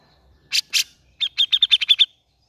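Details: Grey-cheeked bulbul sound used as a lure to stimulate a reluctant bird to sing: two harsh, broad bursts, then a quick run of about eight clear, evenly spaced chattering notes that grow louder, in a quiet setting.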